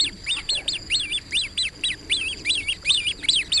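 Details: Great crested grebe on the water: a steady series of thin, high, piping notes, each rising then falling in a sharp chevron, about three per second, with a faint higher whine above.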